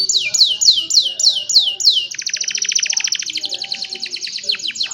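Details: Young canaries singing to train other canaries, recorded on a cellphone: a run of repeated downward-sweeping whistles, then a fast buzzy trill of rapid notes and a quicker rattling series.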